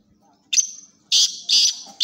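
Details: Black francolin called kala titar, bred for chakri tournaments. A buzzy opening note leads into two powerful rasping bursts, with a third just starting at the end. Nothing else is heard.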